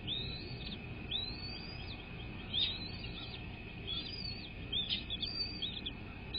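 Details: Bald eagles at the nest on a live cam at dawn, 06:32 on 10 February 2024, give a run of high, arching whistles that rise and fall in quick series, some paired, above a constant hum and background rumble.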